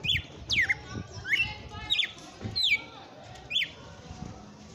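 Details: Vigorous 'açoitando' song of a red-cowled cardinal near the end of the afternoon: a series of loud slurred whistles, mostly falling, a few rising, given at uneven intervals of about half a second with low murmuring in the background.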